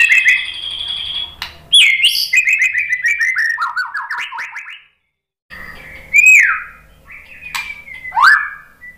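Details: Lure song of a white-rumped shama for drawing other shamas into song. High whistles lead into a long descending cascade of quick repeated slurred notes, then a brief gap, a loud downslurred whistle and a final swooping upward note.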